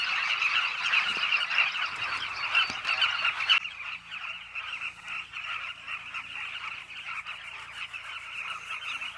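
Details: Southern carmine bee-eaters at a nesting colony dug into a Zambezi River bank in Zambia, a loud mass of overlapping chirps that drops suddenly to a quieter but continuous chattering chorus.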